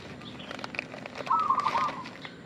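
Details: Zebra dove lure call, one short rolling burst of fast coo notes arriving midway, surrounded by scattered faint chirps and soft clicks from the surroundings.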